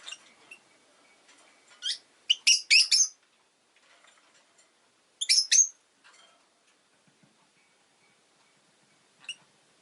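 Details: Shrill, scratchy Rosy-faced lovebird chirps in rapid groups of three or four, a pause, another burst, then a single soft chirp; a faint steady hum sits underneath.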